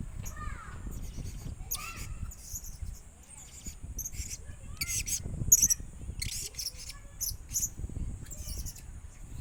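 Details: Young tame pet blue-crowned hanging parrot, one year old, hand-reared from a chick, giving thin, very high-pitched chirps in short scattered bursts over several seconds, with a low background rumble.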